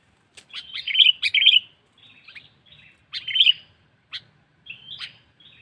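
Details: Lure call of a sooty-headed bulbul for attracting wild birds: short bursts of bright, warbled chirps separated by brief silences, some bursts loud and rich, others quieter single notes.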